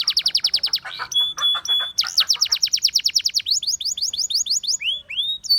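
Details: Russian singing canary, a pet bird singing to seduce other canaries: a rapid trill, short level whistled notes, another fast run of swept notes, then slower slurred phrases ending on a high note.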